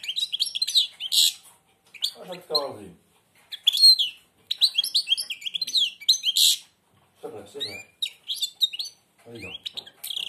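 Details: A blind European goldfinch, beak almost closed, pours out fast, high twittering phrases with sharp chirps, while a man speaks short encouraging words in between.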